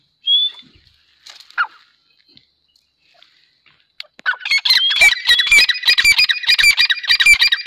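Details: Grey francolin: one sharp whistled note, a quiet pause, then a loud, harsh, rapidly repeated chattering burst of calls that runs to the end.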